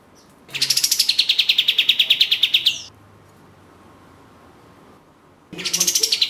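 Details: Orange-spotted bulbul (katem), a vigorous singer in the Indonesian bird-song hobby: a long rattling trill of rapid high notes over two seconds, a quiet pause, then a fresh burst starting higher.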